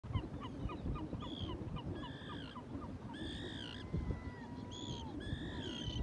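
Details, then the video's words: Off Stornäset, Alnö, Sweden, on 8 August 2022, a Great Black-backed Gull gives short, harsh laughing notes, followed by long drawn-out whistled calls, likely a Black-throated Loon, over low wind and water noise, with Common Tern chicks begging. "Havstrutens skrattande läte"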